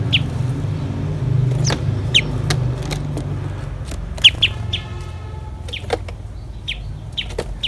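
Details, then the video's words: Common tailorbird, a parent bringing caterpillar prey to its chicks: short, sharp high chirps scattered irregularly across the recording over a steady low background rumble. "Chim Mẹ Tha Mồi Về Cho Chim Non - chim chích bông"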